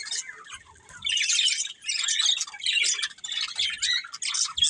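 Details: Budgerigars start quietly, then burst into loud, scratchy warbling chatter in several surges separated by short lulls, with a few squawk-like notes.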